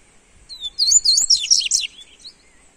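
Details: Double-collared seedeater (coleiro) song used to warm up a bird: a rapid, warbled burst of high twittering and sliding whistled notes lasting about one second, on a quiet background.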